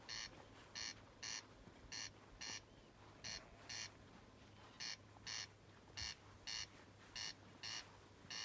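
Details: Corncrake calling about 15 yards from a tent at a campsite on Iona, hidden in grass; dry rasping double notes, crex-crex, repeated steadily about twice every second, over a faint low steady hum.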